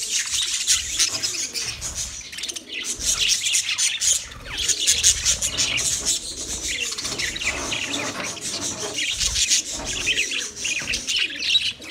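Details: Continuous high, scratchy budgerigar chatter from several birds, warbling and squawking together in a steady, crowded wash of sound.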